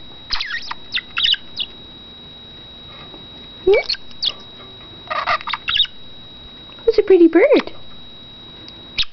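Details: Pet male budgerigar in his cage, known for talking, kissy sounds and whistles, producing scattered chirps and scratchy bursts with longer quiet gaps and a wavering lower warble near the end.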